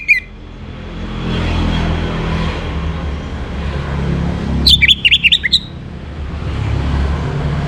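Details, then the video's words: Orange-headed thrush song recorded in the morning to bring birds into breeding condition: one brief phrase of quick, descending whistled notes with a short note at the start, over steady low rumbling background noise. "Naikan Birahi ANIS MERAH pancingan PAGI HARI"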